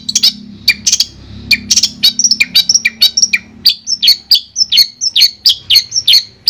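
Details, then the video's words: Long-tailed shrike, Madura type, clear master recording: sharp chips with a low hum at first, then a steady series of whistled notes that drop in pitch, evenly spaced. "Suara Jernih Masteran Burung Cendet Madura"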